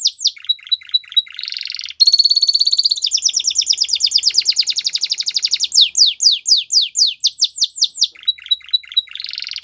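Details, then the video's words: Belgian canary song used for training young canaries: fast varied trills, a run of rapid descending notes, a dense buzzy rolling passage, then sweeping downward slurs and repeated chirps, all high-pitched and continuous. "Belgian Canary Singing Makes Your Canary Sound !! Best Training"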